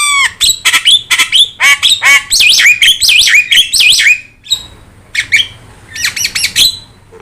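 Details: Yellow-eyed Javan myna in steady song, recorded as a model for training songbirds. Dense, fast bursts of sharp notes and warbling whistles fill the first four seconds, then sparser chattering phrases follow after a short gap.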